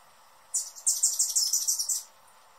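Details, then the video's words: Hummingbird calling with a rapid burst of about ten very high, sharp chittering notes packed into one and a half seconds, the first few uneven, the rest evenly spaced, against a quiet background. "Hummingbird sounds in 2021 | Calls and Song"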